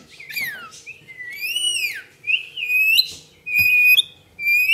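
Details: Pet lorikeet producing a rapid run of loud, bright whistled sweeps, some rising and arching, others sliding down, broken by brief chattering bursts, almost a call per second.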